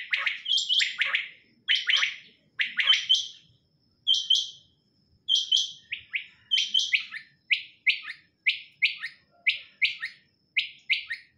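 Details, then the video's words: A female quail calling, as used for quail hunting in Pakistan: sharp, high chirping notes, first in quick clustered bursts, then a steady string of single notes about one per second; no other sounds. "Batair Ki Awaz Quail sounds"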